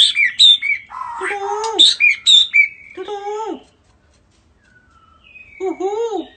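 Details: A greeting song from a head-shaking bird: a jumble of high chirps and descending harmonic squawks, a brief pause with a faint high whistle, then another falling squawk.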